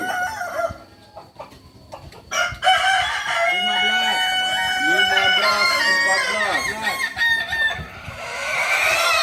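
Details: Kukuak Balenggek chicken, a Solok native singing breed, gives an extended crow with a steady series of evenly repeated arched notes under bright sustained tones, after a quieter opening with scattered knocks.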